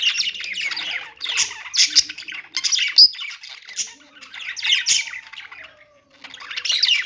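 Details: Pet budgies chirping in repeated bursts of rough, warbled notes roughly every second, with a faint falling whistle in the background toward the end.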